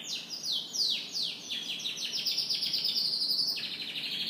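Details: Canary singing in the morning, a loud, rapid, continuous song: fast descending sweeps roll into a dense, buzzy, high trill that runs for several seconds before shifting pitch, with nothing else audible.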